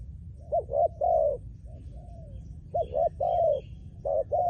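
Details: Trained decoy spotted dove singing rhythmic coo phrases: a double hoot then a long smooth coo, repeated three times, with a quieter trailing coo between and faint high chirps from other birds.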